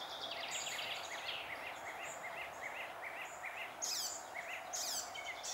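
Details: Singing icterine warbler in June 2021, repeating a short chevron-shaped note about twice per second in a steady series, broken by harsh, noisy high bursts and scratchy chatter.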